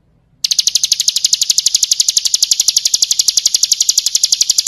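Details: Training song of the ciblek kristal, or Bar-winged prinia: a rapid, regular trill of piercing high pulses begins sharply after half a second of quiet and continues without a break.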